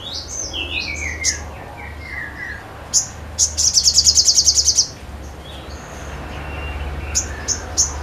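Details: Sogon in full song: descending whistled slurs and sharp chips, then a burst of rapid high buzzy trill notes for about one and a half seconds, followed by more scattered chips.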